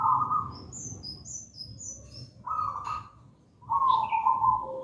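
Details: Local wild zebra dove, gedang rojo style, singing as a lure and master song: three bursts of fast, rolling coos separated by short pauses, with thin high chirps from other birds above.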